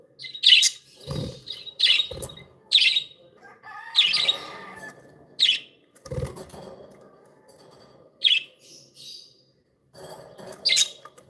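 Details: Happy pet budgerigars chirping steadily, a string of sharp scratchy notes about once a second, mixed with soft chatter and several low knocking or fluttering bumps.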